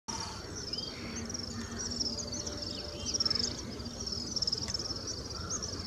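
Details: Little swifts in India, large numbers flying around together at dusk, giving shrill, high twittering trills in overlapping bursts over a steady low rumble of background noise.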